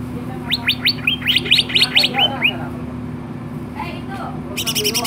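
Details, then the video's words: Greater green leafbird (cucak ijo) singing vigorously, tagged Babelan, Bekasi: a quick run of about ten rising whistled chirps, then a pause and a fast high trill, over a steady low hum. "BURUNG CUCAK IJO GACOR"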